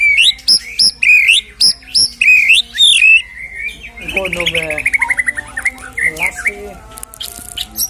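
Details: White-rumped shama song used as a lure to rouse a shama that has lost its nerve back into fighting form: loud whistled notes repeated about twice a second, then a rapid rattling run of buzzy notes and varied sharp phrases.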